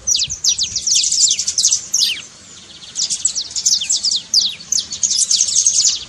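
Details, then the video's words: High, fast saffron finch trill played to get a quiet finch singing, with steep downward-sweeping notes packed into bursts and a short lull midway. "trincado pra foguea seu canário frio"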